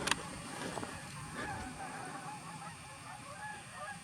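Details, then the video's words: At night at Webber Lake in California's Tahoe National Forest, distant geese honk in a loose, overlapping chorus of short nasal calls after being disturbed, then flocks fly past; steady background hiss, brief clatter at the start. "That is geese being disturbed."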